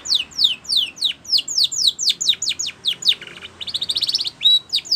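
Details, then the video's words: Spanish Timbrado canary singing, a recording meant for training canaries: rapid descending whistled sweeps repeated in quick runs, then a buzzy low trill and a bright rolling phrase near the end. "Spanish Timbrado song For Training"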